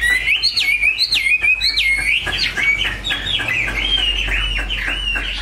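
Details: Cage-kept Chinese hwamei delivering looping whistled phrases: repeated downward-sliding notes in the first seconds, then a bubbling string of quick up-and-down slurs, with a low hum in the background.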